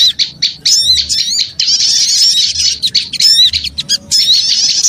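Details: Crowded, noisy calling of small birds for luring: choppy bursts of thin, high chirps and wavering squeaks, several birds overlapping, with brief gaps throughout.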